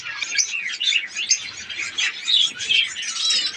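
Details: Many budgerigars of a breeding colony warble and chirp together, a busy, high-pitched stream of twittering notes with brief whistled slurs rising and falling throughout.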